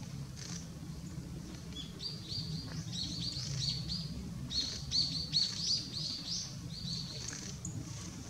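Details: Yellow-throated bunting (Emberiza elegans), recorded in Japan on 12 December 2017, giving thin, high, short ticking calls, a few each second in loose runs, over a steady low rumble of background noise.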